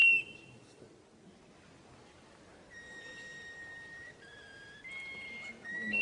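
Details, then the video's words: Russian canary, a captive breed, giving long sustained pure whistles after a quiet start, each held for about a second then stepping up or down to a new steady pitch, over faint background hiss. "Kicauan Burung "KENARI RUSIA" Russian Canary"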